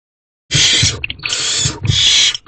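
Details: Barn owl at a nest box at night, 30 April at 8:34 pm, as the male delivers food and quickly leaves: harsh hissing screeches in three long noisy bursts, with scuffling thumps beneath.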